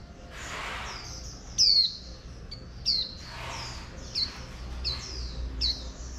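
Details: Oriental white-eye, female, used to trigger 'líu' singing in a wild-caught male. A series of short, high, descending whistled notes, loud at first and then softer, roughly every second, with faint chirping behind.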